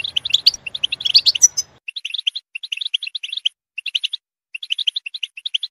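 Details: European goldfinch song: dense twittering in the first two seconds, then cleaner short groups of quick tinkling chirps broken by clear silent gaps.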